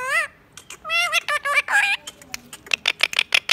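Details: Indian ringneck parakeet kept as a talking pet: wavering harmonic speech-like syllables at first, then a fast train of raspy, clicking squawks toward the end.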